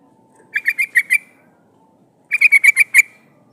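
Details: Female sooty-headed bulbul calling for a male as a decoy for wild birds; two short bursts of five to six slightly rough, clipped notes about a second and a half apart, in quiet surroundings.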